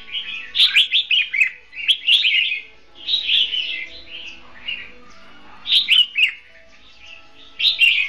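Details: Red-whiskered bulbul, a caged decoy bird used for trapping, singing in a duel: bursts of warbled, chirpy phrases of several notes each, separated by short pauses, with faint background noise.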